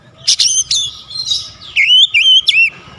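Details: Sharp, clear oriental magpie-robin song for stimulating lazy birds: several high harsh notes with harmonics, a scratchy interlude, then three ringing whistles that dip and rise.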